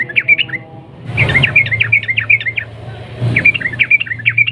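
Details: Sooty-headed bulbul singing to provoke other bulbuls: short phrases of lively, warbling chirps, a brief burst, then a longer rattling run of repeated notes and another phrase, over a low background hum.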